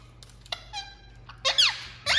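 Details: Indian ringneck parakeet kept as a talking pet: faint clicks and a short whistle, then a loud harsh screech with falling sweeps, and a second screech starting as the sound ends, over a low hum.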